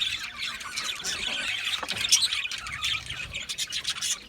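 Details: Australian budgies chattering continuously, dense scratchy warbles and squeaky chirps overlapping without pause, several birds apparently calling together.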